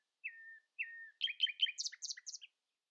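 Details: Common nightingale singing at dawn: two drawn-out, falling whistles, then a rapid jumble of loud chirps and trilled notes jumping between high and low pitches.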